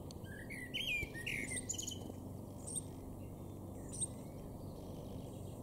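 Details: Garden common starling in Weener, East Frisia, northwest Germany, recorded April 2022, delivering a quick mix of high thin whistles, squeaky slurred notes and short clicks over a constant low hum.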